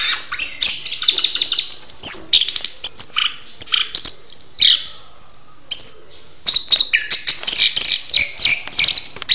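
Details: Oriental magpie-robin singing during a mating ritual: a loud, varied song of sharp, high whistles, scratchy notes and quick chirps, delivered in dense bursts with brief pauses.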